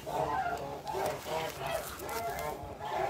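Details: Kholmogory geese on a farm on 29 March 2021, a flock calling together: overlapping nasal honks in quick bursts, roughly one every half second, forming a steady gabbling chorus with faint background noise.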